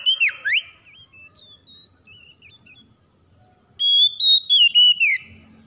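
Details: Song of an Oriental magpie-robin meant to provoke a lazy bird into singing: two strong swooping whistles open, then quieter warbled notes, and a final run of loud, level then descending whistled phrases.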